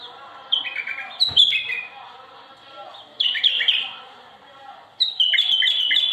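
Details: Bulbuls singing loudly: rich, warbling phrases in three bursts about two seconds apart, each starting abruptly with bright slurred notes and fading into softer chattering, one brief low thump early on.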